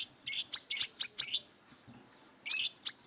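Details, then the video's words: Brown-throated sunbird singing aggressively in fighting mode, seeking a rival; a burst of five sharp, high chirping notes in under a second and a half, a pause, then two more piercing chirps. "Burung Kolibri Kelapa Wiceh Gacor Beset Tarung Mencari Musuh"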